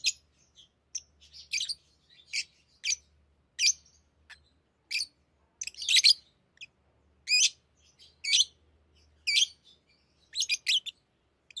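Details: Pet lovebirds at play with rings, giving scattered shrill chirps and squeaks roughly every half second to second, irregular in spacing, over a faint low hum.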